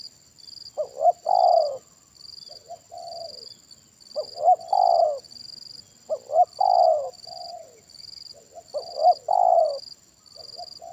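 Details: Spotted dove with a big kuk satu voice calling during trapping with a decoy bird. Four phrases of paired quick hoots and a long descending coo, each trailed by a softer coo, come roughly every two and a half seconds. Pulsing high-pitched insects are heard throughout.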